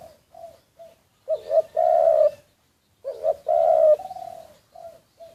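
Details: Covert recording of a decoy spotted dove: two loud phrases, each a quick double note and a sustained rough coo, surrounded by soft short coos at the start and end.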